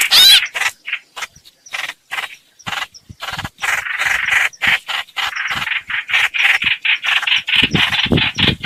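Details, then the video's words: Streak-eared bulbul lure recording for bird trapping: opens with a loud whistled slur, then softer, clipped scratchy notes in short, rapid bursts with frequent gaps. "Tiếng chim hoành hoạch mồi chuẩn"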